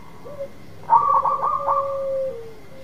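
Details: Local zebra dove (perkutut lokal) in full song, used to lure another dove that has stopped singing: a brief opening note, then a loud rolling, bubbling coo over a long, low, steady tone that slides down at the end. A faint steady hum underneath.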